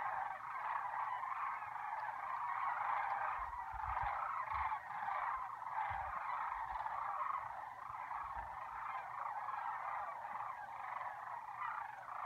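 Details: A large flock of sandhill cranes at Lac Le Jeune in spring keeps up a steady, overlapping din of rolling, trumpeting rattles for the whole clip.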